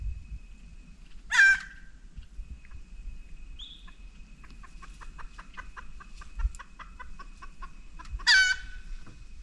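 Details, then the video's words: Jungle fowl giving alarm calls in grassland in the Dhikala zone of Jim Corbett National Park, India, three birds calling as a tiger moves toward the grassland; loud harsh squawks at the start and end, with rapid clucking notes and distant birds between. "पहले स्थान पर संकट की सूचना देने वाला केवल एक ही जंगली मुर्गा था, लेकिन कुछ ही मिनट बाद 2 और जंगल फाउल बोलने लगे."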